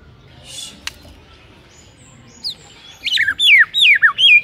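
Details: White-rumped shama in the morning, singing to trigger a rival: after near-silence, a quick burst of high, slurred whistles sweeping downward in short repeated phrases over faint background hiss.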